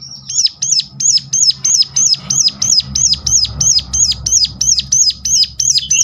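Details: Sunda warbler call used to entice other Sunda warblers to sing: continuous run of sharp, high, arched whistles at about three per second over a low background hum.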